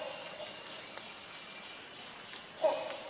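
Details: Rhinoceros hornbill producing one abrupt nasal honk late on, over a droning high-pitched insect background.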